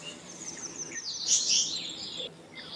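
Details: Black-naped monarch delivering a drawn-out, buzzy, scratchy high note that swells and then fades, preceded by thin faint tones, with light background hiss.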